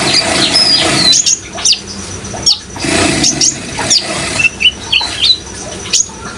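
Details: Lively Brown-throated sunbird song with a water sound backdrop: sharp high squeaky notes and quick downslurred whistles, fairly evenly spaced in the second half, over a continuous watery hiss.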